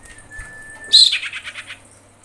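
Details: Female common iora in breeding condition calling for males: a long thin steady whistle, then a sudden harsh burst breaking into a fast descending trill of about eight notes.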